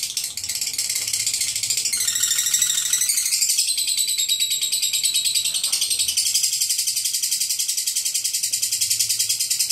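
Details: Lovebird delivering the long ngekek chatter: an unbroken, rapid, harsh high-pitched rattle of buzzy pulses running throughout, in a small indoor space.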